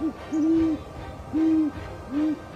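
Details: Great Horned Owl giving its most characteristic humming hoot, used for communication. There are four deep, soft hoots: a short one, two drawn-out steady ones, then a shorter final note, spaced under a second apart over faint background hiss.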